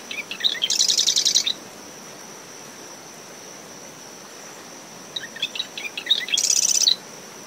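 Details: Marsh wren singing at early morning from dune shrubs around its nest after a passing tropical depression, recorded ten meters from the high tide line in brisk wind: two high buzzy rattling bursts, each about a second long, over steady cricket trilling, wind and surf.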